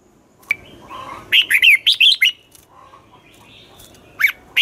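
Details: Red-whiskered bulbul morning song for training birds, in the twisting-voice competition style. Soft chatter precedes a loud burst of six quick, warbled, rising-falling notes, then quieter twitters and two sharp closing notes.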